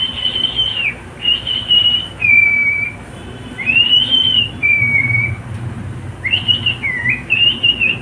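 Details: Pet cockatiel whistling long, clear, flat notes in three phrases. Each phrase pairs a higher held note with a slightly lower one, with short pauses between.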